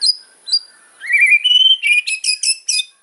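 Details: White-rumped shama in a hard fighter-style song meant to agitate rivals: short high whistles, then a rising clear whistle followed by a string of five or six sharp, buzzy chopped notes.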